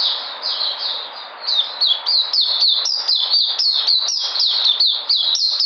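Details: A white-eye on 13 February 2020 gives a lively song: a softer opening warble leads into a brisk series of bright, falling chirps repeated several times a second.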